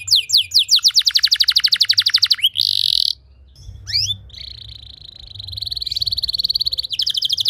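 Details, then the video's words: Canary song used to train other canaries: a rapid high trill, a harsh buzzy burst, a short pause, then a long steady trill ending in faster rising notes. "Putar 10 Detik Saja Kenari Lain Bisa Ngeplong Anti Ngeriwik Gacor Nembak Panjang"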